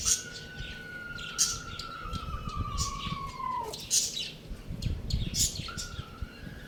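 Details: Rooster kept at home giving one long drawn-out crow, a steady tone that slides slowly downward for nearly four seconds before breaking off, then starts again; sharp chirps from small birds sound throughout.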